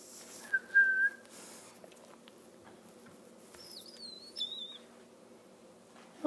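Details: Hungry fostered Mississippi kite chick, rescued in Oklahoma heat, calling during hand-feeding: a short mid-pitched whistle, then a longer, higher wavering whistle that dips and rises, with soft human murmurs and faint handling noises.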